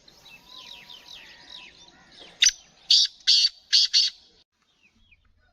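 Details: Sheedi black francolin (kala teetar), a bird offered for sale, calls with five grating, buzzy notes. One short note is followed by four fuller ones, the final pair nearly joined. Thin whistled chirps of other small birds come before it.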